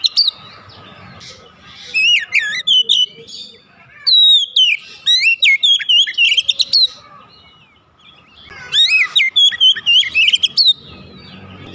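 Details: Oriental magpie-robin (kacer) in rapid song, long bursts of varied whistled notes and sharp upsweeps repeated after brief pauses, over a faint steady low hum.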